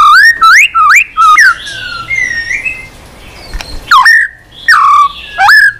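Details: Tail-flicking white-rumped shama singing on a perch after being stimulated, giving strong upward-curving whistled phrases separated by pauses, with quieter warbling in between.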